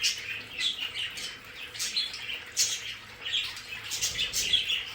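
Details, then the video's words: Pet budgerigars in an indoor play area, bright scratchy chirps and squawks repeated in quick irregular bursts from several birds. "Sonidos de periquitos Australianos"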